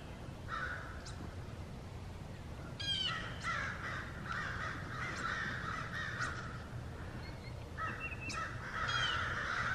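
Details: American crows mobbing a great horned owl in woods across a pond on a Georgia farm, cawing harshly and nearly nonstop, many birds overlapping in loud bursts, with a few sharp chip notes mixed in.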